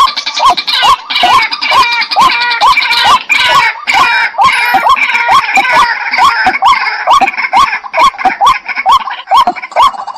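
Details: Continuous fast series of short rising calls from a white-breasted waterhen, about two per second, partly masked by a loud, rough overlapping chorus of higher calls.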